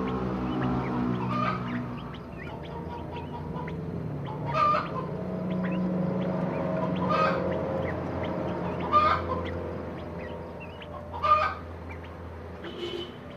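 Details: Crested partridge kept for breeding in captivity; harsh, clucking call bursts about every two to two and a half seconds over a steady low mechanical hum, with faint thin chirps between.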